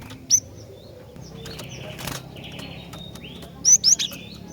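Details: Calls of a female cinereous tit meant to provoke males: one sharp high chip at the start, a broad rustle in the middle, then a tight burst of three loud rising chirps near the end.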